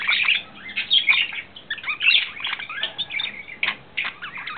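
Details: Male budgerigar courting, smitten, April 2009: choppy bursts of squeaky chirps and bright whistled notes, separated by short pauses, with a raspy chattering texture.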